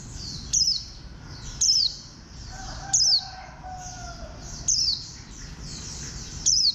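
A warbling white-eye gives thin, very high, sharply falling chirps, five of them at roughly one-second intervals, over a steady background hiss.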